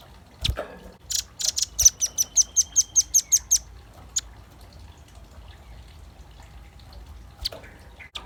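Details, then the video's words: Velvet-fronted nuthatch in full song for luring: a knock, then a rapid string of around ten crisp, high chipping notes, followed by quieter scattered ticks and faint background noise. "Suara kicau pancingan burung rambatan paruh merah gacor"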